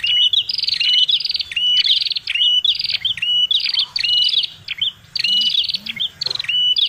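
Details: Prinia (prenjak kepala merah) lure call: harsh buzzing trills alternating with sharp hooked whistles, delivered in a steady excited stream, with faint low rumbling beneath.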